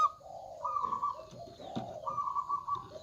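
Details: Local zebra dove in full song, loud-voiced: smooth, drawn-out mellow coos that alternate between a higher and a lower pitch, steady and unbroken, with soft room-like background noise.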